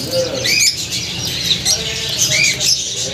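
Gouldian finch giving short, high, upslurred chirps, several in quick succession over three seconds, with a low murmur of voices behind.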